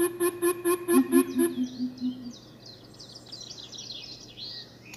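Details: Coucals answering one another: a run of deep hoots is overlapped by a second, lower series that continues alone. High twittering from other birds follows.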